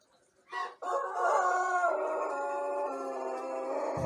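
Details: Young Pelung rooster one month into learning to crow, recorded in the morning on an empty crop: a short opening note, then a long, drawn-out, slightly wavering crow held for over three seconds.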